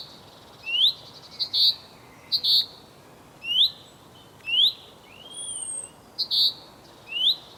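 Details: A male common chaffinch calls to his mate with a steady run of short rising whistles and abrupt bright metallic notes, roughly one per second, plus a faint thin high note from another bird.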